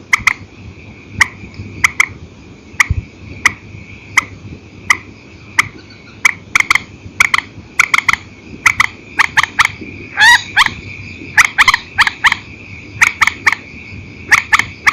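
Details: Night calling of a purple swamphen, old file, single and double style: a long series of crisp clicks, singles and quick doubles, with a denser, harsher burst near the middle, steady low hum throughout.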